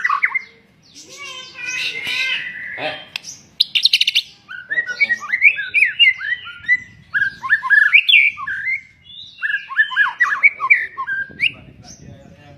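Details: White-rumped shama singing a rich, varied song of clear whistled phrases, quick slurred notes and short rising and falling sweeps, delivered in lively bursts separated by brief pauses, with some lower, harsher notes near the start.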